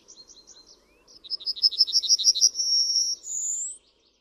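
A Yellowhammer sings a rapid run of high, dry repeated notes that ends in a longer drawn note and a final rising wheeze, over a faint low hum.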